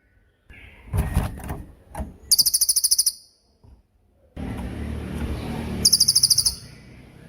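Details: Training recording of a cililin singing in tembakan style: two brief, fast high-pitched pulsed trills. Bumps, rustling and broadband background noise fall between and beneath them.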